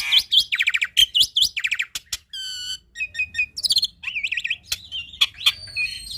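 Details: Black-winged starling (jalak putih) singing vigorously in a full, varied song used to train young birds: a fast run of whistled upslurs, harsh stacked buzzy notes, sharp clicks and ringing tonal whistles, with a faint low hum underneath.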